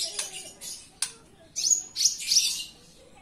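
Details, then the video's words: Indoor Javan bush lark in energetic song: brief ticks, then three loud high rasping bursts in quick succession. "Branjangan dalam ruangan super gacor"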